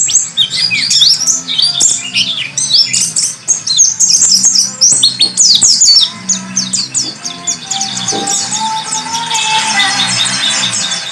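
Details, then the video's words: Warbling white-eye (pleci) tutor song used to train birds: fast, dense, high-pitched twittering runs and chirps throughout, becoming a continuous chattering trill near the end, over a faint low humming tone. "Masteran burung Pleci"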